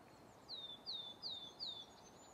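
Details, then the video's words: Single coal tit phrase, 10 March 2024, Grandungen, Ryggisspåret, Haga: four clear, high whistled notes, each dropping in pitch, evenly spaced about a third of a second apart, over faint background hiss. "Talltita spel/sång"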